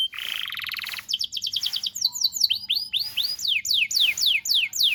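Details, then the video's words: Canary tutor song for young canaries, opening with a one-second buzzy roll, then sharp chirp bursts and a series of arched, slurred whistles repeated roughly three times per second. "PANCINGAN KENARI GACOR DURASI DURASI PANJANG UNTUK MASTERAN KENARI PAUD BELAJAR BUNYI DAN GACOR"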